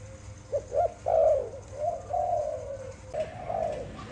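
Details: Close Malay dove, a pet bird, delivering its song: a few short clipped notes, then a long, soft, trilled coo that slowly descends and fades before another rolling phrase begins.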